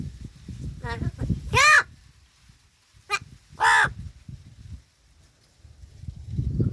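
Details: A talking crow in Palghar, Gargaon, gives hoarse, nasal, word-like calls: two short ones, then two longer drawn-out ones about two seconds apart, over quiet human voices talking about food and rustling.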